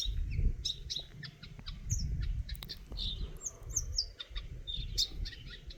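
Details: A Eurasian nuthatch (Sitta europaea) gives short, sharp, high chirps in quick irregular bursts over a steady low rumble of wind or distant traffic.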